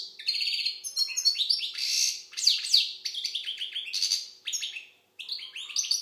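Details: European goldfinch of the Algerian type in continuous song, a dense run of bright twitters, chirps and nasal buzzy trills with scarcely a break.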